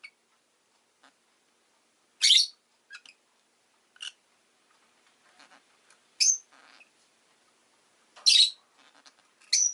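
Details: Pet rosy-faced lovebird chirping: short, sharp, high squeaks spaced roughly two seconds apart, with fainter clicks and small rustling noises in between.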